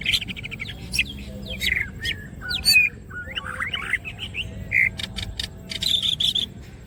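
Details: Gacor singing from a Greater green leafbird with opened wings: varied whistles, a fast chattering trill, sliding notes and a row of clicks, finishing with short repeated high whistles over a faint hum.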